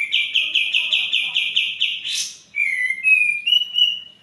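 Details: White-eared bulbul singing, used to stir lazy or stalled birds into song. A quick rattling trill of around ten notes, a sharp burst, then a few clear whistled notes climbing in short steps.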